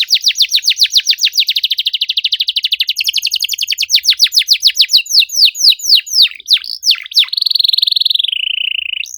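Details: Canary singing to spur silent birds: long rapid series of steep downward chips slowing gradually, broken by a few deep swoops, then a sustained buzzy trill rising at the end.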